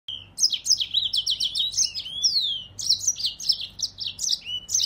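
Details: A yellow-fronted canary (Crithagra mozambica) sings a fast, continuous jumble of high, sweet twitters and chirps with brief slurred whistles, delivered without pause, over a faint low hum.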